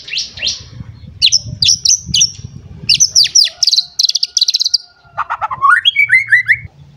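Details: White-rumped shama, worked up and seeking a rival, giving high rapid repeated notes and a trilled run, then lower descending whistles, over a low rumbling background.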